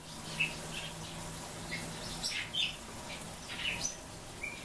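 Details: Captive Japanese white-eyes give scattered sharp, high chirps and short tweets every second or so, with soft fluttering and a faint background hum.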